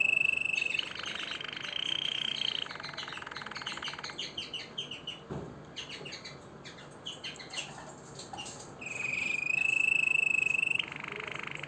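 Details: Harz Roller canary song made of sustained rolling tours, fast even trills held for a few seconds at a time, with softer varied twittering between the longer rolls.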